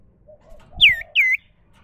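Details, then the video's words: Two drawn-out falling whistles from a wild common iora, each curving downward, over a soft low cooing of a dove and faint rustling. "dengar Burung sirtu cipoh suara alami"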